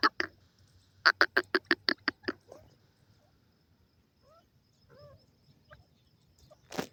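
Grey francolin giving loud, harsh, clipped notes in a fast burst of about seven, then quiet. Soft whistled chirps from other birds follow, then one more harsh note.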